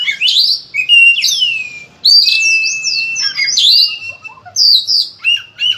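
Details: Loud Oriental magpie-robin song in the varied kacer gacor style: long clear sliding whistles, a sustained level whistle and rising swoops mixed with sharp chirps and short scratchy phrases, delivered with force.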